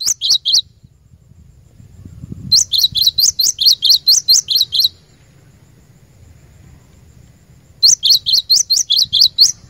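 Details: Cinereous tit singing, a recording used to train caged birds. A brief burst of high, sharp two-part notes is followed after a pause by two long bouts of rapid, ringing notes, about two each second. A low rumble sits underneath.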